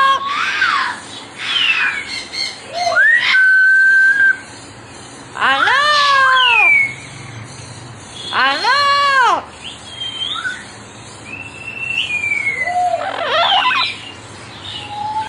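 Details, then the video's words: Talking double yellow-headed amazon parrot giving loud, voice-like phrases and rising whistles in bursts a few seconds apart, with short chirps and squawks between. "Double Yellow Head Amazon | Best Talking Parrot"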